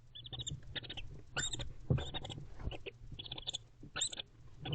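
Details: Wild barn owl pair, bonded and affectionate, together in a nest box during winter courtship at night: repeated soft high chirrups and twittering notes in quick clusters, with scuffling and rustling sounds throughout.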